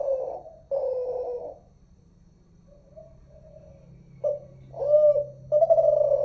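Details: Kelantan-type terkukur (spotted dove) song from Malaysia: two long throaty coos, a soft distant reply, then a sharp short note and two more resonant coos with a rolling dip, recorded unedited and close.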